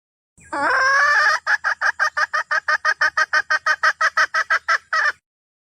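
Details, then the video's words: Red junglefowl hen calling to the rooster: one drawn-out, harsh nasal note, then a fast run of about seventeen clipped, clucking notes, roughly three per second, on an even pitch. Quiet background. "Tiếng Gà Mái Rừng Kêu Gọi Trống"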